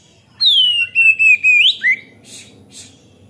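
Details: Oriental magpie-robin (kacer) in full, non-stop song, used as a lure to train young birds: a loud, clear whistle sliding down, then quick rising and falling whistled notes, ending in two soft buzzy bursts.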